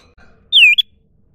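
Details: Single clear whistle from a wild common iora, sliding down from high to mid pitch and ending in a short upward flick, in quiet surroundings.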